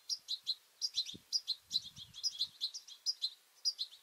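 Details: Feisty European goldfinches squabbling over a two-port seed feeder, with juveniles present: a steady stream of high, sharp chirps repeated several times per second, with faint low knocks and bumps in the background.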